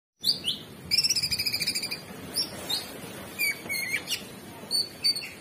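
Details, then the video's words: Orange-bellied Leafbird (cucak cungkok) singing vigorously, the gacor style: a rapid trill of about ten sharp high notes, then scattered bright whistles, chips and downslurred notes with short gaps. "Cucak Cungkok Super gacor"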